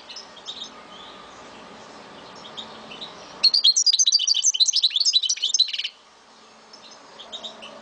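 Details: Caged Algerian goldfinch from Souk Ahras, Algeria, singing a burst of fast, twittering, tinkling notes for about two and a half seconds, with faint quieter chirps before and after over steady background hiss.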